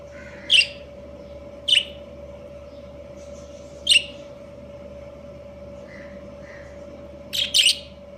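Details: Pair of breeding budgerigars, or Australian parakeets, uttering loud, clipped, high-pitched chirps at uneven intervals, a quick double note near the end and faint softer notes between, over a steady mechanical hum.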